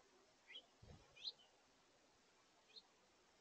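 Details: House finch family, with juveniles, at a backyard feeder at brunchtime on 17 August 2023: four short, high chirps spaced irregularly about a second apart, with a soft low thump and faint background hiss.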